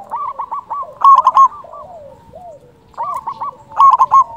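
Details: Zebra dove used as a lure for trapping and for rousing quiet or stressed doves. Softer rolling coos give way to a loud, staccato coo burst at about 1 s, and another follows near 3.8 s.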